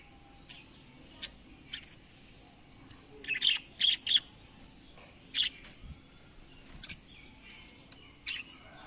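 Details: Breeding budgerigars giving short, scratchy chirps in scattered bursts against a quiet background hiss.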